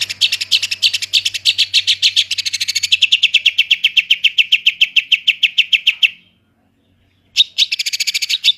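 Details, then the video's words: Long-tailed shrike performing 'roll tembak' song: a long, fast rattling trill of high notes dropping slightly in pitch, a pause of about a second, then the rapid rattle resumes. "Cented Gacor Roll Tembak Full Materi Speed Rapet"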